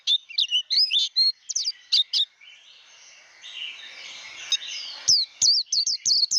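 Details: Japanese white-eye 'líu đấu' training song: bursts of high, twisting whistles at the start and end, broken in the middle by a few seconds of broad rushing noise.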